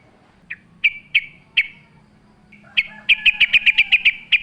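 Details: Sooty-headed bulbul with a few spaced sharp chips that build into a fast series of about ten ringing notes near the end, bright and clear over a quiet background hum.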